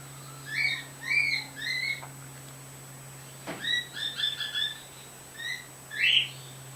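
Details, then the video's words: Caged pair of pet birds, the white female vocalizing through a screen door: series of short stacked chirps in quick runs, a pause, then more chirps and a louder final squawk, with steady background hum and a click. "Zu makes noises"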